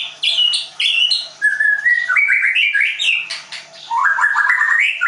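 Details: Caged Leuser white-rumped shama trained at a bird school in Tangerang, Indonesia, pouring out loud, rich, varied song. Sharp high chips give way to rolling whistled phrases that climb and dip, delivered in quick bursts.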